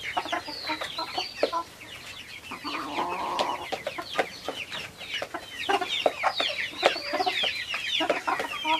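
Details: Silkie chicken farm flock heard close up: constant rapid high chirping and peeping from many birds, overlapping downslurs with occasional sharper, louder notes and background knocks.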